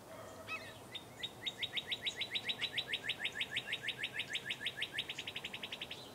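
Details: Morning birdsong outdoors around 8 a.m.: after a couple of soft opening notes, a long, even trill of some thirty-five bright, high chirps runs for about five seconds, quickening slightly near the end.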